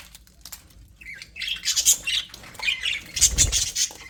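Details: Happy budgerigars chirping in an aviary, giving a run of harsh, buzzy squawks and quick high chirps that overlap, louder toward the end, with a soft low thump.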